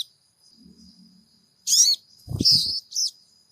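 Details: Crimson sunbird (sogon), a caged bird, calling to provoke other caged sogon into singing: a few short, very high, sharp chirps and slurred notes after a quiet start, with dull knocks and a steady thin high whine behind.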